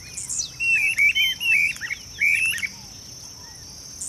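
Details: A Streamer-tailed Tyrant gives a quick burst of about six sharp, slurred notes over two seconds over a steady high insect hum; marsh at a fish farm in Goiânia, Goiás, Brazil, 26 December 2017.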